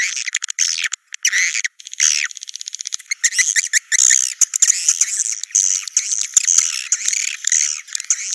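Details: Naga Merah swiftlet lure for attracting birds to nests: quick trains of ticking clicks mixed with high scratchy, swooping twitters, growing into dense continuous chatter.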